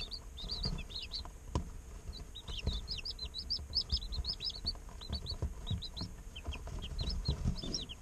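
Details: Many day-old chicks chirp together in an incubator, a dense chatter of short high peeps with low background rumble and faint knocks.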